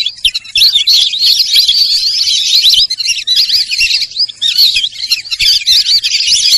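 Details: High, warbling chatter from Sarail birds, running almost without pause: thin twisting whistles packed closely together, with a slight drop in loudness midway.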